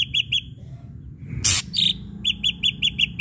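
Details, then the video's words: Ashy drongo song as a lure to make other birds sing. Brief clipped chirps, a harsh noisy burst, a single whistled note, then a quick even series of short chirps. "srigunting abu abu gacor PANCINGAN"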